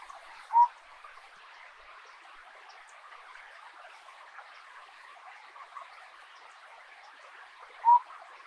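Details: A blue-throated motmot (Aspatha gularis) near Union Juárez, Chiapas, Mexico, gives two short, soft, mid-pitched hoots about seven seconds apart, over a steady rushing hiss like a stream.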